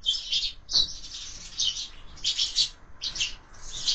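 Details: Sparrows feeding at a window-mounted feeder at breakfast; bursts of high, scratchy chirping from several birds in quick clusters, a brief thump and wing flutter near the start.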